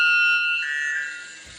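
A White Bellbird gives a loud, ringing, metallic tone that shifts pitch partway through and fades.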